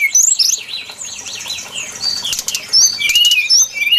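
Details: Lure sound of the brown-chested jungle flycatcher for trapping, with rapid bright whistled notes, quick up-and-down slurs and a few sharp rising whistles near the end.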